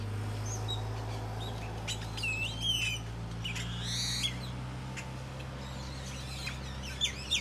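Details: Several birds call at once from a tropical tree in Nayarit, Mexico. Looping whistled phrases, a rising buzzy trill and scattered sharp chirps play over a constant low mechanical-sounding hum.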